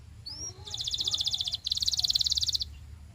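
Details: Belgian canary singing for teaching young birds: a short upward whistle, then two long, even, very fast high buzzing trills, each lasting about a second, separated by a brief pause.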